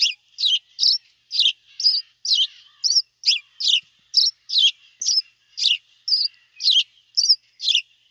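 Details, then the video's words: House sparrow (Passer domesticus) chirping: bright, clipped high chirps repeated about twice a second, roughly seventeen in a row at a steady pace, with no other sounds. "صوت دويري بلدي عصفور دوري البليدي House Sparrow Sound"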